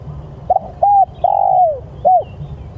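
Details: Spotted dove cooing to call its companions: a stuttering double note, a short coo, a long coo that slides downward, then one last brief coo, all low and mellow.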